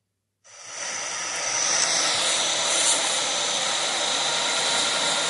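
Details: After a brief silence, a loud, steady broadband hiss rises like a jet engine or escaping steam and continues to the end, with no animal voices.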